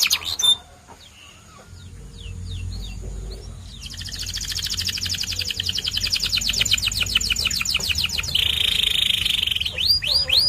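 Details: Quiet start with a few faint notes over low background rumble, then a white canary breaks into a long rapid trill, a buzzy held tone, and closing upswept whistles.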